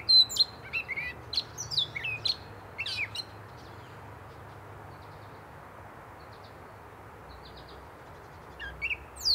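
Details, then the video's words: Gray catbird singing: scattered bursts of squeaky, buzzy high notes clustered at the start, a long quiet pause through the middle, then a few more sharp notes near the end, with faint low background hum. "Gray Catbird Singing Away"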